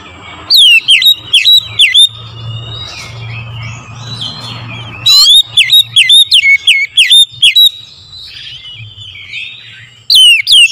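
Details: Oriental magpie-robin singing in the morning as a lure for other birds: two long volleys of loud, piercing whistled notes, each slurred down then up and repeated several times a second, between softer chattering and low hum.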